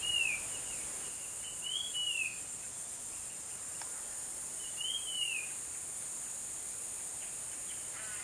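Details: A Tickell's Blue Flycatcher, probably a male of a pair, perched on a cactus in Konkan, gives three short, high, sweet arched whistles a couple of seconds apart over a steady shrill insect drone.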